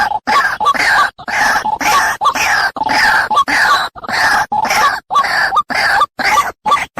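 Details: A white-breasted waterhen (Amaurornis phoenicurus) call played as a bird-trapping lure gives harsh, croaking notes in quick bursts about twice a second. Sharp breaks between phrases make it sound like looped playback.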